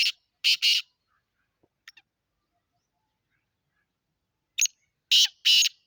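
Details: Black francolin calling in Sindh, Pakistan: harsh, grating bursts in short groups, three rasping notes near the start and another group of three about four seconds later, with near silence between.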